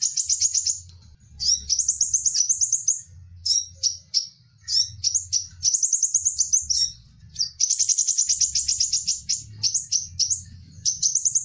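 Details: Crimson sunbird (Aethopyga siparaja) call, used as a lure for wild birds: very high, thin, rapid twittering trills in bursts of about a second, with a faint low hum underneath.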